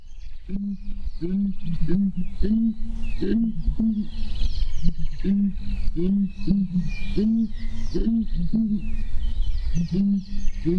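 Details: Deep, hollow booming notes from Southern ground hornbills recorded at dawn in Klaserie Private Nature Reserve, Kruger, given in short groups about once a second, over a chorus of higher twittering birds.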